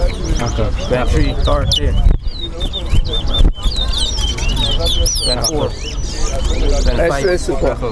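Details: Towa towa (chestnut-bellied seed finch) singing in a bird race at the Lamaha and Vlissengen Road bird ground, Guyana. Rapid, high twittering and whistled warbles come in quick bursts over people talking and steady crowd noise.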